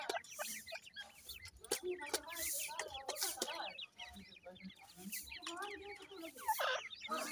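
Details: Many black francolin chicks peeping at once, thin quivering chirps in quick succession, with scattered clicks, noise bursts and low murmuring underneath.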